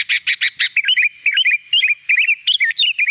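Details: Energetic, clear song of a sooty-headed bulbul (kutilang): four fast chattering bursts open, followed by a run of short, rolling, slurred whistled phrases repeated at a steady quick pace.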